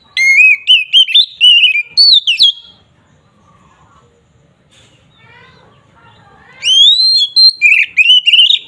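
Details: Fighting-mode Oriental magpie-robin song aimed at provoking rival birds: a burst of bright rising whistles, a pause with soft low warbling, then another loud run of slurred whistled notes.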